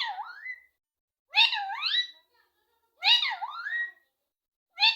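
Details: A highly talkative pet rose-ringed parakeet chatters in short, speech-like bursts with rising and falling tones, repeating roughly every one and a half seconds in a small room.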